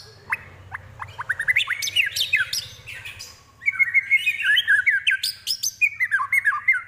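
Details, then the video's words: White-rumped shama mimicking prinia, kapas tembak and eagle: scattered sharp chip notes speed into rapid chattering, then a long run of descending whistled slurs, with a low rumbling hum beneath. "Murai Isian Prenjak, Kapas Tembak, Elang"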